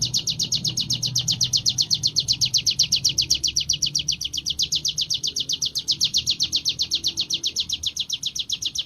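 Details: Sunda warbler (mountain ciblek) singing during training in the continuous ngebren style: a fast, even stream of high, thin chirps, about four per second, rising and falling slightly in loudness, with faint low background noise.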